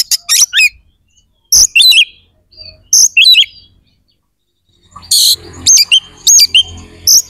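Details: Vigorous 'gacor' song of an Oriental magpie-robin, used to trigger aggression and breeding urge in other magpie-robins: clusters of shrill whistles and upslurred notes, a pause, then a louder burst of sharp chips and whistles.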